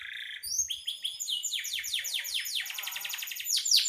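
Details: Lively canary song, kept as a master for training songbirds, with soft low notes at the start, then high rising whistles and a long run of fast, downward-sweeping trill notes that speed up toward the end.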